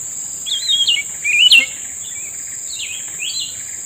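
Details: Grey-bellied bulbul calling in answer to a trapper's lure: two loud warbled whistle phrases, then softer distant-sounding repeats, accompanied by a continuous high insect drone.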